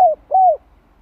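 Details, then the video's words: Two smooth coos from a spotted dove, the second longer and sliding down. The bird is calling in the '2 hậu lỡ' style used to stimulate a fresh captive dove during training. "Tiếng cu gáy kích mồi tập bổi 2 hậu lỡ"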